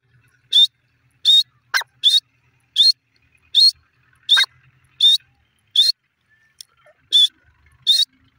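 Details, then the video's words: Grey partridge (irani teetar) gives a harsh, high, scratchy call over and over, roughly every three-quarters of a second, with two brief lower squeaky notes in between. "irani teetar ki awaaz,pheasant titar awaz,grey partridge voice"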